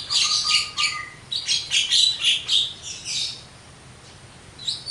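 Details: Javan myna song: a loud burst of harsh rasping chatter with pulsed notes about four per second, then a quieter pause and a final squeaky note.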